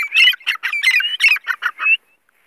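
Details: Female grey francolin (teetar) giving a fast run of harsh, scratchy squawking notes with rising whistled inflections, about ten notes in two seconds, ending abruptly into quiet.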